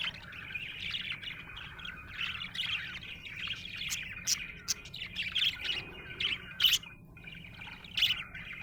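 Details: Budgerigar in a happy mood, chirping steadily: a rapid run of squeaky, warbled chirps that grows livelier toward the end with several sharp, louder clicks and tweets over a low background hum.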